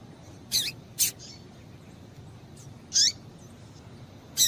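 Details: Calls of a female Double-collared seedeater used to excite males: a pair of high, bright chirps, a gap of about two seconds, then another down-slurred chirp and a final sharp note.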